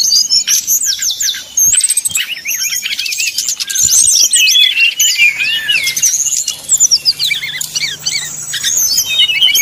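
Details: Brown-chested Jungle Flycatcher giving flute-like nyuling song to provoke rivals into singing. Overlapping high whistles, swooping slurs and buzzy trills form a busy, nearly unbroken chorus with a faint low hum in the background.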